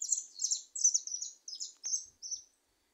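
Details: Wild, free goldfinches in a little wood: a clean series of about eight sharp, high, slightly descending chirps in quick succession, then silence.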